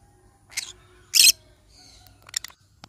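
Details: Yellow-sided conure parrot: a short squeak, then a loud, grating screech mid-way, followed by quieter clipped squeaks.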